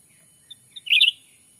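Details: Lure call of a black-capped bulbul, used to attract wild birds in Sumatra's forest: two faint pips, then one loud, quick, liquid warbled chirp lasting about a third of a second.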